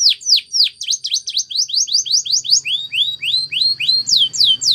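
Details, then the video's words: Training song of a Spanish Timbrado canary: steady sequence of bright swooping whistled notes, first falling then rising, about four each second, over a faint continuous high tone. "Many canaries join in singing after listening to this song"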